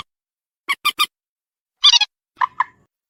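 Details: Waterhen call for luring: three short clipped pulses, then a harsh doubled rasping note and a softer two-part grunt, with silence around them.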